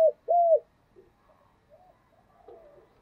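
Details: Spotted dove call meant to excite freshly caught doves into singing in thổ style: a brief clipped note, then one longer, level, hollow coo bending down at its end, and faint murmurs afterwards.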